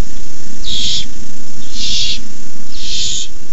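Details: Owlets of barn owl hiss at the nest at 9:57pm on 18 May 2015 as a rabbit is delivered; three broad, breathy hisses about a second apart over steady low-frequency hum.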